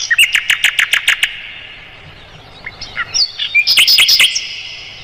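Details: Mugimaki flycatcher song used as tutor material for songbirds such as the white-rumped shama: a fast run of about eight sharp, evenly spaced high notes, a pause, then a busier twittering burst of high chirps.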